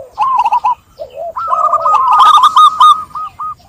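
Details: Perkutut, or zebra dove, delivering a short run of clipped coo notes, a soft low coo, then a long steady stream of rapid staccato notes continuing to the end.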